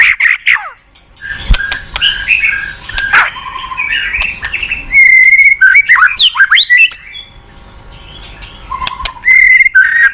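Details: White-rumped shama singing an energetic lure song full of varied fills: loud whistled notes, sweeping slurs and rapid chattering bursts, with short pauses between phrases.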